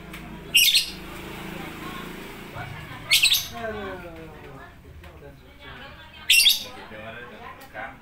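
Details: Lovebird repeating loud, harsh squawks about every three seconds, three in all, with faint voices in the background.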